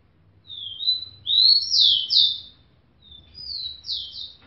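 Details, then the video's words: Female rufous-collared sparrow soliciting mating toward a hand: a soft slurred whistle, then louder sliding high whistles run together, a pause, and a second similar phrase. The background is quiet. "Tico Tico Fêmea pedindo gala pra mão!"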